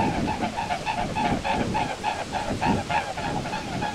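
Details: Mute swans flying over a pond in Europe, recorded in autumn and spring. A loud, even run of pulsing 'vaou' throbs roughly three per second throughout, with a faint honking quality.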